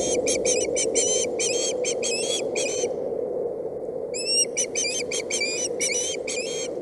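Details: Boulder County nest-cam osprey chick protesting on 8/7/17 because its mother delivered a stick rather than fish; bursts of shrill, slightly rising whistled chirps in quick runs, a second-long silence midway, constant low hum underneath.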